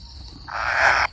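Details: Kingfisher chick waiting for its parent gives one harsh, raspy begging call of about half a second, rising in loudness then cut off, over a steady high insect whine.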